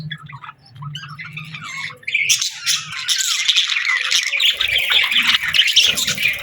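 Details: Budgies whistling in the afternoon: after about two seconds of low hum and faint chirps, a dense, busy warble of squeaky chirps and whistles from several birds begins and continues steadily.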